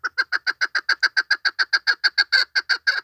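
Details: A female chukar partridge hunting lure call. Fast, evenly spaced clucking notes, about three per second, run continuously for three seconds and grow slightly louder toward the end.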